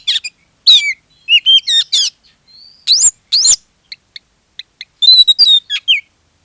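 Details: Oriental magpie-robin singing as a lure for other magpie-robins; loud slurred whistles and sharp rising notes, a few isolated soft high pips, then a bright downward-stepping whistled phrase.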